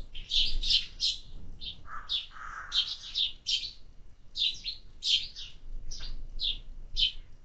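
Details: Feeding sparrows in summer chirp busily, mostly high rough notes with a couple of lower, softer calls near the second mark, repeated in irregular bursts.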